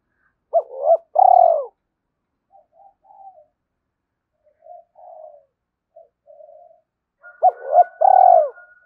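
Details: Spotted dove giving coos meant to stimulate other doves: a short paired phrase ending in a long mellow coo opens, soft faint notes follow, then the phrase returns with a thin steady whistle behind it.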